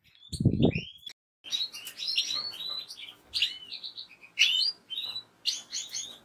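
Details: European goldfinch twittering song of repeated high chips and short rising whistles in quick groups, opening with a loud low-pitched thump.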